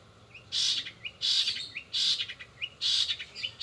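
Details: Cendet singing speedy 'rol spid' song with mimicked sparrow, sogon and canary elements: loud, buzzy, harsh bursts roughly every three-quarters of a second, each followed by a short rising whistled note.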